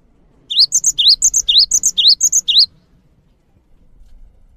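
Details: Active cinereous tit song for tutoring others: about two seconds of rising sweeps alternating with doubled high whistles, cut off abruptly into near silence with faint rumbling.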